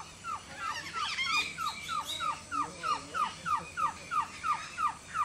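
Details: Green-backed trogon, labelled Amazonian White-tailed Trogon, male calling in the morning at Orinoco Delta Lodge, Venezuela: a steady series of short, mellow, down-slurred notes, about three per second, with other birds chattering briefly near the start.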